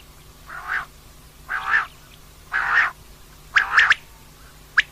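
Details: Female common quail calling, recorded for use at night: a series of short, nasal, broad notes, about one per second, the later ones sharper and split into quick double pulses, over a steady low hum.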